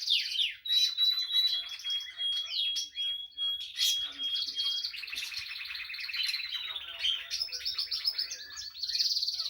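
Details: A singing female timbrado canary delivers varied rolling trills, rapid repeated notes and a long clear whistled tone, changing tour every second or two in one unbroken high-pitched run.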